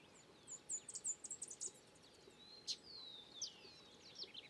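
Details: Song of a Collared warbling-finch recorded in Peru, opening with a quick series of sharp, high chips, then long, thin whistles that slide steadily downward.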